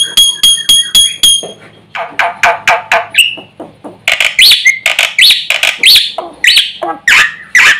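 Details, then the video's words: Jalak putih, the Black-winged myna, singing nonstop with imitated fill phrases meant to provoke other birds: a quick run of clear repeated notes, then harsh, chattering, buzzy bursts and short rising whistles in irregular succession. "jalak putih gacor full isian ini sekali bunyi bikin emosi burung sekampung"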